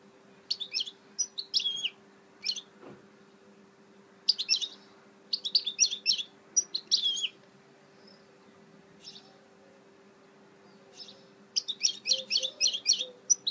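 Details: Goldfinch hybrid (mule) singing in rapid, high twittering bursts of trilled and chirped notes, phrases lasting one to two seconds with short silent gaps between them, over a faint steady low hum.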